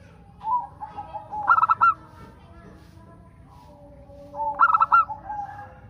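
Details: Local zebra dove song used as a lure to prompt other doves to sing: two short cooing phrases, each a few soft notes followed by a cluster of ringing, clipped coos, separated by a quiet gap.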